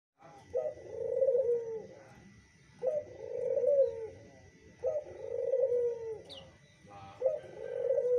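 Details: Zebra dove (Geopelia striata) giving soft, rolling trilled coos, each phrase about two seconds long, repeated every two to two and a half seconds, over a faint steady whine; responding to a lure sound.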